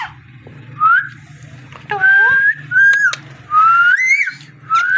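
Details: Indoor parrot giving level and gently rising whistled notes separated by brief pauses, one note wavering lower, with a steady low hum underneath.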